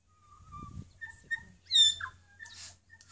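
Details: North Island kōkako (Callaeas wilsoni) on Tiritiri Matangi sings a long, steady, flute-like note, then a few short higher whistles and a rich downslurred phrase, over a faint low rumble.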